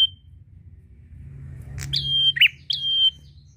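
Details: Prinia (prenjak) calling a rival: after a quiet start, two high flat whistles around a single rough lower chirp, with low background rumble.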